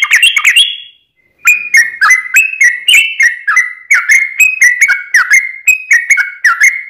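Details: Yellow-vented bulbul, chatty fighting song for luring kept bulbuls: a fast bubbly opening, a brief pause, then steady clear whistled two-note phrases, slurred down then up, repeating roughly every half second.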